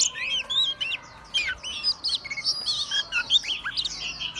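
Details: Singing Oriental magpie-robin, tail opened, swaying as it performs. Rapid sequences of crisp whistles, curling sweeps and short chips tumble together in an energetic, varied, almost continuous song.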